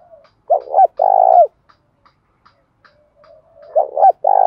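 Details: Decoy spotted dove used to draw wild doves into cooing, giving a two-part husky note followed by a sustained low coo, then soft clicks and a repeat of the phrase.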